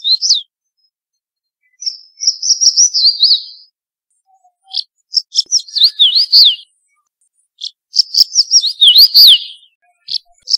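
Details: Crested bunting in eastern Rajasthan sings short, bright phrases of quick high notes ending in down-slurred twists, repeated every few seconds over a quiet background.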